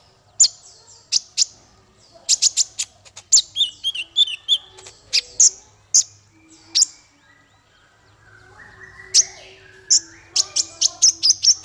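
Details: Male kolibri ninja (konin), used for training songbirds: scattered sharp, very high ticking chirps, a brief run of thinner twittering notes, then a dense burst of rapid clicks and chirps toward the end.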